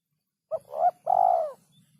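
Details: Spotted dove calling as a training recording for songbirds, one phrase of a brief note, a swelling rising coo, then a long steady falling coo, with faint low murmur behind it.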